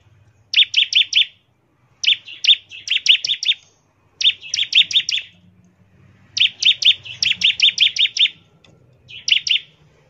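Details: Bar-winged prinia, ngebren song for drawing prinias into song: five separate bursts of crisp, high chirps, four to eight notes each, with clean silences between bursts.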